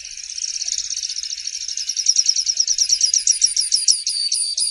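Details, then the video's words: A Grassland Yellow-Finch (canário tipio, canário da horta) sings a long, high, buzzy trill that loosens toward the end into rapid, distinct chipping notes, with no other sounds. "Canto do Canário Tipio - canário da Horta"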